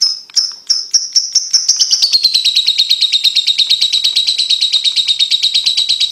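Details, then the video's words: High lovebird ticks quicken and merge into a long, fast, even trill that drops slightly in pitch and runs to the end, a sound used to train young lovebirds to trill quickly. "Lovebird Ngetik Ngetik Untuk Pacingan Paud Cepat Ngekek"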